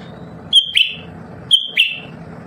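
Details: Caged lesser green leafbird, described as singing all the time, gives two sharp whistled phrases a second apart, each a level high whistle dropping into a quick downward chip, over a constant low background hum.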